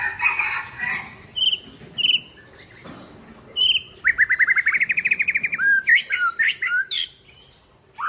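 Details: White-rumped shama of the Aceh type from Tangse singing against a rival: loud clear whistled phrases, then a fast even trill of about twenty repeated notes, followed by rich varied warbling slurs and a final rising whistle.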